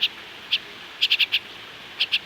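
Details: Pet myna that is trying to learn to speak gives short, clear, high chirps, single at first and then in quick runs of three or four, with a man talking to it nearby.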